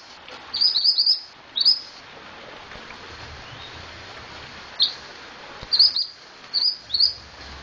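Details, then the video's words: Scarlet-headed flowerpecker singing actively (gacor): scattered short bursts of thin, high chirps spread over several seconds, with quiet gaps and a soft background hiss. "Burung Mantenan Gacor"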